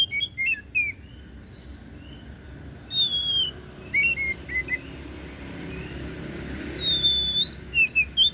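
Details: Oriental magpie-robin, called kacer daput, delivering short whistled phrases separated by pauses: quick slurred notes, a long drawn-out falling whistle, then a final clear sweeping whistle, with faint low rumble behind.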